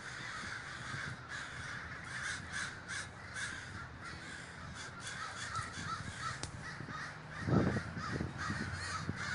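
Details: Crows massing in a big communal gathering in Davis, California, countless overlapping caws forming a continuous noisy din, a brief louder thump around the middle.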